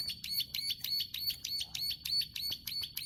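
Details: Close view of plain prinia clicking song: crisp, high ticking notes, each a quick stacked click, spaced about a third of a second apart in an unbroken, even sequence.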